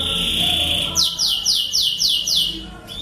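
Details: Lancashire canary from England, used as master song for young canaries: a held high whistle, then five or six loud downward-swept notes in a regular series, over a low background hum.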